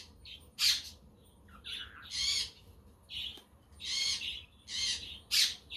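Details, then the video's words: Chirping budgerigars on a sunny, windy day, played as company for solitary budgies, with a quaker parrot and a conure heard behind. Sharp high chirps and raspy warbled phrases come in irregular bursts. "Parakeet Friends for your LONELY budgie birds"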